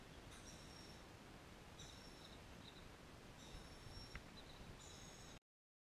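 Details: White-cheeked pintail ducklings at Paignton Zoo give thin, high, faint peeping in short bursts about every one and a half seconds, over a steady low background rumble.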